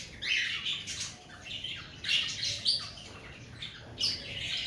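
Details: Cockatiels in breeding season giving harsh, screechy squawks in irregular bursts, several overlapping raspy calls spaced about a second apart, with a faint low hum underneath.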